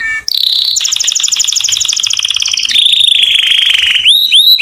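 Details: Singing canary performing to attract females for breeding: a long fast trill of bright pulsed notes, shifting to a steady high buzzy roll, ending with several short rising whistled slurs.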